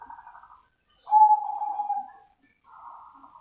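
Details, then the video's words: Cemani zebra dove singing actively in a genuine recording: a soft burred phrase, a loud clear coo that wavers and fades over about a second, then a quieter rolling trill after a short pause. "SUARA ASLI PERKUTUT CEMANI GACOR || ZEBRA DOVE"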